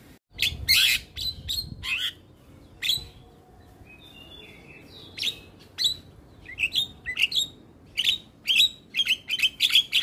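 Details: Javan myna singing vigorously in a full, varied training song meant to set other mynas singing: harsh broadband bursts and squeaky whistled notes in irregular runs, quickening into rapid chirps near the end.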